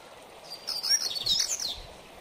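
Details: Short excerpt of a coleiro (double-collared seedeater) in mateiro song style for training: a quick, high, tumbling run of slurred whistled notes lasting about a second, over faint background hiss.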